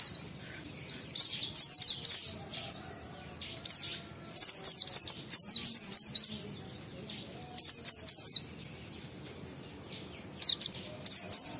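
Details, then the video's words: Oriental white-eye lure song meant to prompt kept white-eyes to sing: rapid runs of high, sharply falling whistled notes in clusters, separated by short pauses. "Suara Burung PLECI Ngalas sambung wiksar Bongkar Isian memancing semua pleci cepat gacor buka paruh"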